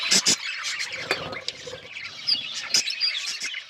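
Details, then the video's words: Several budgerigars chirping: short, bright high chirps and squeaky notes in quick irregular bursts, with a few sharp clicks and taps in between. "Beautiful budgies parrot chirping sounds"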